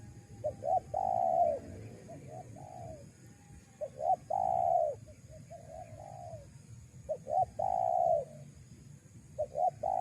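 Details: Spotted dove lure call for attracting wild doves: three phrases of cooing, each with two or three short clipped notes leading into a long, mellow, slightly falling coo, about two seconds apart, over a faint low rumble.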